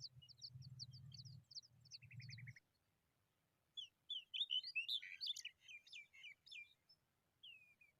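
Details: Hungry familiar chat chicks: quick high chirps over a low rumbling hum at first, then after a pause a louder, excited jumble of twittering, squeaky notes and fast chatter that trails off into a few thin calls.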